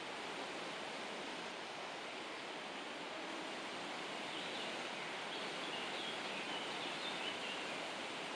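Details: Only an even, stream-like hiss of outdoor noise is heard, with no distinct animal call.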